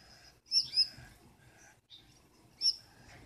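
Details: Unseen female Gouldian finch calling from inside the nest at night, scolding her blue mate and making him wait; high thin squeaky notes in a quick pair, a lone note later, faint background hiss.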